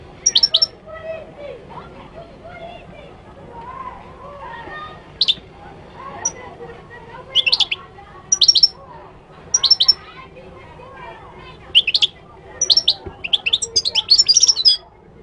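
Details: Moroccan goldfinch song: bright, high, tinkling twitters in short liquid bursts, separated by brief pauses. The phrases grow denser and more rapid toward the end, over a soft low background murmur.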